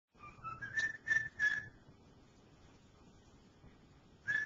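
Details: Pet male cockatiel whistling the tune "Dixie" indoors: a short rising run of clear whistled notes climbing to a steady higher pitch, then a pause and one more whistle at the end.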